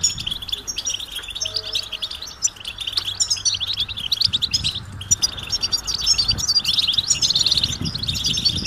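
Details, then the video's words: Goldfinch mating and readiness calls for stimulating males: quick, bright twittering with buzzy, fluttering phrases that rise in intensity toward the end, over a faint low hum and rumble. "بتبتة الحسون علاج سكوت الحسون نذاءات التزاوج والتجهيز"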